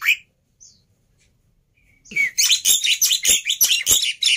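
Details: Black-winged myna fighter, emotional and used as a training master for mute starlings: a brief high note, then near quiet for two seconds, followed by a loud, continuous burst of harsh, scratchy chattering squawks.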